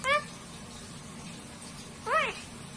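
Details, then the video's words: Parrots talking to each other: two short arched harmonic calls, one at the start and one about two seconds later, with quiet hum between. "Parrots incredibly talk to each other like humans"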